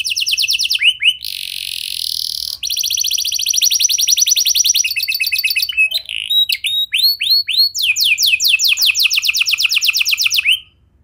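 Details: Canary song for getting other canaries to sing: high buzzy trills, a harsh rasping burst, varied slurred notes and a fast series of descending trilled notes, mixed and with an electronic-sounding tone.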